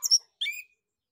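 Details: Orange-headed thrush in ngeplong song to prompt other birds: a short scratchy high double note, then a brief bright whistle sliding downward and trailing off.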